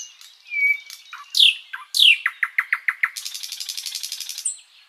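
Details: Flycatcher (sikatan londo) in long continuous master song for tutoring other birds: a thin whistle, loud swooping downslurs, a quickening string of short notes, then a high buzzy trill ending on a pure whistle.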